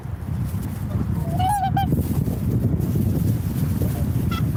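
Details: One drawn-out, wavering swan call stands out early, followed much later by a fainter short honk. A continuous low background rumble is heard throughout.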